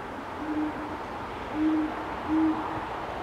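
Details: Great horned owls during mating, Forest Park, St. Louis, Missouri, USA, on 1 January 2019; deep, low hoots, one short and two stronger drawn-out notes spaced under a second apart, over a steady background hum.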